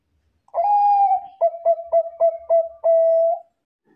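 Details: Zebra dove of the Bangkok type, singing strongly as a lure for other doves: a sustained, softly falling coo, then a run of six short, evenly spaced coos, closing on a held note.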